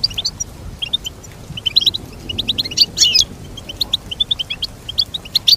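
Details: Melodious goldfinch twittering: quick high chirps in loose strings, with a louder jangling flourish midway, over quiet background.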